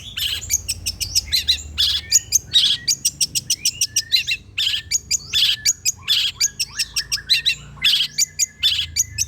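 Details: Long-tailed shrike song used as a lure to make other shrikes answer: a rapid, varied stream of sharp clicks, high chirps and scratchy bursts, nearly continuous and energetic throughout.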